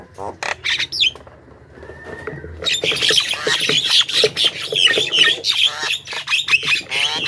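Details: Javan myna lure recording meant to attract a wild flock: a few scattered harsh notes, then from about the third second a dense, continuous wash of scratchy squawks and chatter from several birds.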